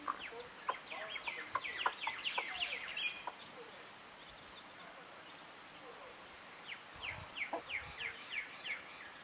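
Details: Chicken chicks with clucking hens and squawking rooster, heard as a busy burst of high, short cheeping notes. The cheeping is followed by a quiet pause, then a second run of thin, rapid peeps over rustling outdoor background.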